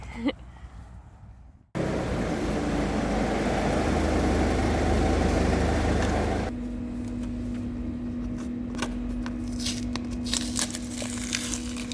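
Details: Workshop machinery noise, a loud broadband roar followed by a steady mechanical hum, with no animal sounds.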